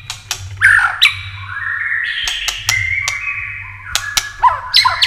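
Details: White-rumped shama giving tail-flicking clicking song to stir other birds to contest singing: sharp dry clicks scattered among long level whistled notes and short slurred phrases, with a low hum beneath.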